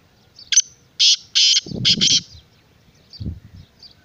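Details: Black francolin giving its harsh, grating call: a short scratchy note followed by four loud rasping bursts within about a second and a half, with low rumbling noise underneath and faint chirps from other birds afterward.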